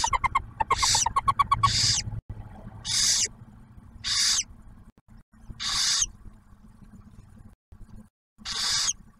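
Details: At an Ohio wildlife refuge nest box near Oak Harbor, a barn owl pair feeds its first owlet. A rapid run of ticking clicks opens, followed by five harsh, breathy hissing screeches with pauses between.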